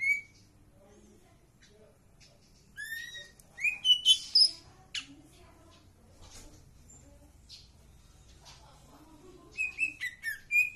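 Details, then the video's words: Green leafbird singing actively: scattered sharp whistles and buzzy upswept notes in short bursts, separated by quiet gaps with soft low sounds, ending in a cluster of quick high chips. "cak ijo trotol gacor"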